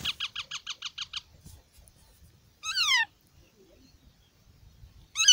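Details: Active Indian ringneck parakeet chicks in a park give a fast run of seven short pulsed squeaks, then a long raspy call dropping in pitch, with another starting at the end; quiet low rumble underneath.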